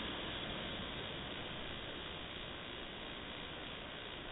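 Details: Steady, even hiss like wind or engine noise that cuts off sharply above the midrange, with no animal sounds.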